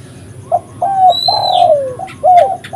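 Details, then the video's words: Energetic spotted dove calling, used as a lure for trapping: a brief low note, a level coo, then a long coo sagging downward, and a final falling coo. Soft distant chirps sound behind it. "suara burung tekukur gacor paling ampuh untuk pikat dan pancingan"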